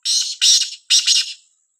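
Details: Black francolin of the Sindhi kind in a village, giving a rasping call of three hoarse, buzzy notes in rapid sequence, the last two paired closely, on a quiet background.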